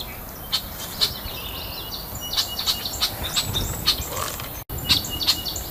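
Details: Red-winged Blackbirds, agitated by a person picking raspberries in a midsummer berry patch, give sharp, dry check notes, irregular, about two per second, against a steady high insect hiss and faint rustling.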